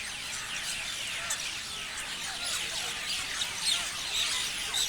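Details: A group of parrots chirping together: continuous overlapping high chirps and squeaks forming a busy chorus, with a few louder chirps after the middle.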